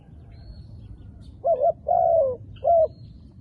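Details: Hollow cooing from a dark black wild dove: a quick wavering double note, a long coo falling at its end, then a short clear coo, against faint steady background hiss.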